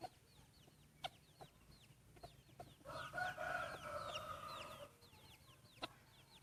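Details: Breeding rooster in its first crowing contest gives a drawn-out, harsh crow lasting about two seconds mid-recording, while small birds keep up quick, high, downward chirps and scattered clicks throughout.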